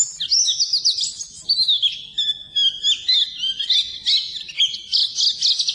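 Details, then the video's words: White-eye (pleci) delivering a flowing, high warble with some lower whistled slides in the middle, steady and continuous, meant as training song for reluctant singers. "Suara Burung Pleci Masteran Pleci"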